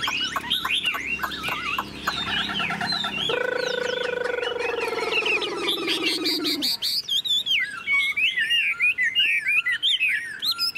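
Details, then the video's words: Caged golden-billed Chinese hwamei singing whistled, curving phrases, broken midway by a long, lower, falling harmonic sound, after which the bird resumes quick looping whistles. "Họa mi thuần sách lồng hót, đuôi xòe, ngũ trường hót cao cầu"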